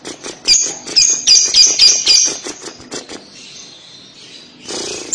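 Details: Lovebird sound used to provoke other lovebirds into answering: a run of sharp, high, rapidly repeated clipped chirps, about four per second for two seconds, then softer scratchy notes and a burst of noise.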